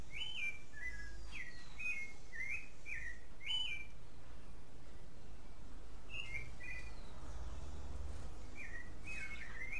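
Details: A clay-colored thrush (Turdus grayi) in Costa Rica during the mating season sings a run of short, clear whistled phrases, rising and falling, one after another, over a steady low rumble of background noise.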